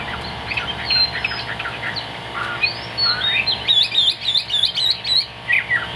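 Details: Chinese hwamei in Vietnamese bird-keeping delivers scattered whistled notes that build into a fast, bright burst of rising and falling slurs in the second half, over a steady background hiss.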